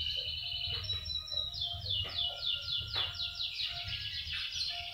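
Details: Common iora in trotolan style, kept as a caged bird and used to stimulate other birds to sing: rapid, repeated downslurred whistled notes in fast series, with some clicks and low background hum.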